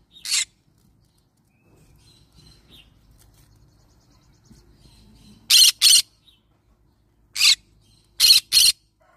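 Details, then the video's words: Yellow-sided green-cheeked conure parrot giving six short, harsh, raspy squawks: one at the start, then a long quiet gap, followed by a close pair, a single, and another pair near the end, over a faint low background hum. "Yellow sided Green cheek conure parrot sound"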